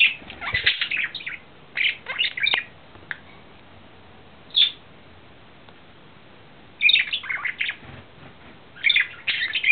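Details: Male budgerigar in love, April 2009, singing scratchy chattering warble phrases in bursts, with a lone whistled note and several quiet pauses between.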